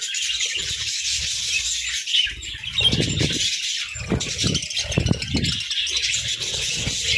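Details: Pet budgies chirping while eating grass and moringa in winter: a dense, continuous chatter of high twittering notes, with low crunching and pecking sounds from feeding underneath.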